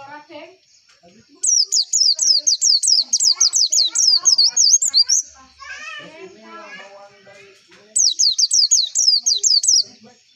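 White-eye singing fast, very high twittering runs of quick up-and-down notes in two bursts of several seconds each, with faint voices murmuring in between.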